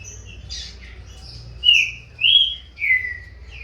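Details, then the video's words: Captive green-winged saltator chick, corvo x fogueira, dueling in song with its father: three strong, clear whistles, each sliding downward, spaced about half a second apart in a quiet setting. "FILHOTE DE TRINCA FERRO CORVO X FOGUEIRA COMEÇANDO A DISPUTAR CANTO"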